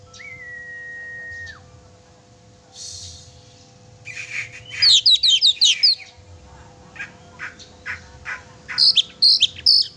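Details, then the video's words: Oriental magpie-robin in chatty song, aimed at rousing a pet magpie-robin: a flat whistled tone, buzzy notes, then a dense burst of high twittering chirps, scattered clicks, and a closing string of sharp chirps. "kacer gacor sangat cocok buat memancing emosi burung kacer kesayangan kamu"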